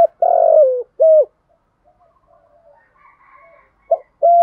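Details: Spotted dove decoy cooing used in Vietnam to lure and train birds, in the thổ pha voice style: low hollow coos, a long wavering note then a short one, a quiet mid-clip gap with faint murmurs, then two more coos.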